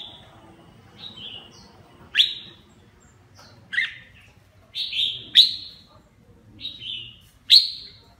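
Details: Red-whiskered bulbul sings while bathing, giving short, bright, bubbly phrases of slurred notes every second or two, with sharp splashy water clicks between phrases and a faint low hum.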